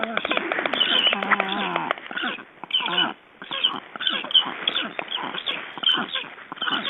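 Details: Black stork being ringed in Estonia on 29 June 2012: a wavering, buzzy harmonic call during the first two seconds, followed by rapid clicking and clattering bursts of handling noise.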